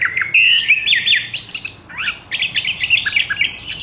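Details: Caged Horsfield's bush lark with a fluent song of slurred whistles, rising and falling sweeps and rapid twittering phrases, almost unbroken.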